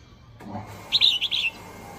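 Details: Caged female red-whiskered bulbul calling to excite males: a short, bright, warbling phrase of four or five quick fluty notes lasting about half a second, set against steady background noise.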